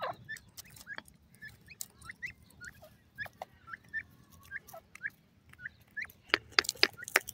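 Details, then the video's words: Francolin, called teetar, giving short hooked upslurred notes repeated rapidly, mixed with sharp clicks and knocks that grow louder toward the end. "gharwal teetar ke awaz,buda partridge bird francolin ki voice"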